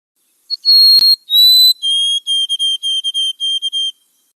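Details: Adult White-throated Sparrow's full song ("old Sam Peabody" / "oh Canada"): two long, pure whistles stepping slightly down, then a run of short, even whistled notes on a lower pitch; one sharp click early on.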